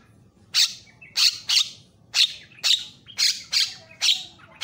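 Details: Javan myna on a tutor recording played to train other mynas: a run of nine loud, rasping squawks, roughly two per second, each a broad burst of harsh noise.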